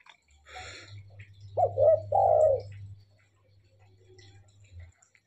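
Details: Tame spotted dove in full voice, giving two husky, low cooing notes in quick succession followed by quieter fading coos, over a steady low electrical hum.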